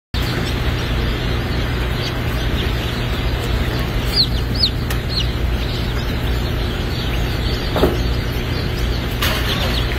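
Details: Newly hatching Turken baby chicks at a hatchery in downtown Lebanon, Missouri, giving many faint, high, downslurred peeps scattered through the clip over a steady loud low machine hum.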